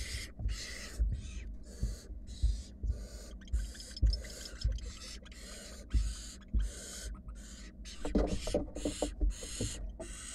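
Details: Wild barn owl nestlings in a monitored nest box, huddling together while a sibling slowly swallows a rat; dense, overlapping rasping hisses burst almost continuously from several chicks, with soft low thumps of movement underneath.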